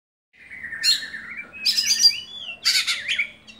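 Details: Caged oriental magpie-robin (kacer) kept by an Indonesian songbird hobbyist, singing a rising whistled note that slides into buzzy, rapidly varied bursts of high warbling, three phrases about a second apart, with faint low hum behind.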